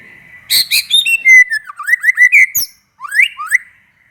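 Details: White-rumped shama, a kept songbird, singing loud varied song to provoke other shamas into singing: rich whistled phrases, rising sweeps and sharp chattering notes in quick bursts, with a brief pause before more rising whistles.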